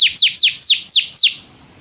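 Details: Canary song played to get another canary singing, given as canary training: five loud, clear downward-sweeping whistles, evenly spaced, then quiet.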